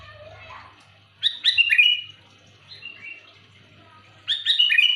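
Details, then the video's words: Loud calling of a sooty-headed bulbul, used as a lure: quick bubbly phrases of three or four chirpy notes sliding downward, one phrase after a second, a soft echo-like repeat midway, another near the end; faint low hum throughout. "Suara burung kutilang manggil keras jelas cocok untuk pikat dan pancingan"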